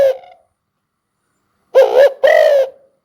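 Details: Spotted dove call: a brief low note, then after a pause a hoarse two-part cooing phrase, a short note followed by a longer drawn-out coo, with no other sounds.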